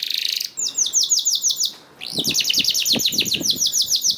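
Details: Canary song for prompting other canaries: a buzzy high phrase, a quick rising trill, a short gap, then more repeated rising notes over soft low tapping sounds.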